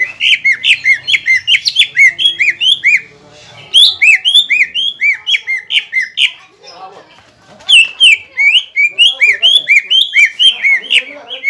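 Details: Provoking song of a Greater green leafbird, meant to stir a rival back to aggression after its moult: long chains of bright, looping whistles about two per second, a brief quieter gap, then another rapid whistled run.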